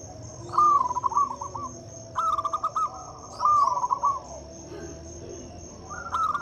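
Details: Several local zebra doves singing, played as a lure for doves that are silent or slow to sing: quick series of pulsing, warbled coos in short phrases roughly every one and a half seconds, with a steady background hum.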